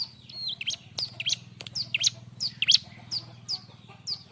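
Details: Bar-winged prinia in busy, lively song meant as tutor material for training other birds: sharp high chirps and quick downslurred notes about twice a second, with a steady low hum underneath.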